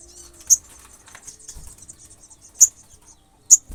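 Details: Olive-backed sunbird, a chirpy singer meant to enrage other sunbirds; sparse piercing high chips, one early and two near the end, separated by long gaps filled with a faint high hiss and soft thumps.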